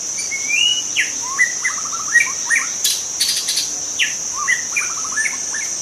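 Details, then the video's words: Wild white-rumped shama in forest giving rich whistled song with upward slurs, rapid stuttering note series and a few sharp high clicks, while a shrill insect drone runs underneath. "suara asli murai batu hutan cocok untuk Memancing murai batu lain"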